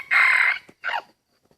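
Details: Hybrid junglefowl in a rubber plantation, drawn in by a decoy rooster's crowing: a short crow, a strong strained note about half a second long, then a brief falling second phrase, with quiet surroundings.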